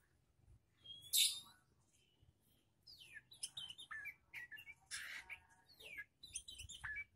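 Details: Juvenile magpie-robin having its mettle tested alongside other birds: a sudden loud harsh burst, a quiet gap, then lively varied phrases of downward-slurred whistles, chips and buzzy notes.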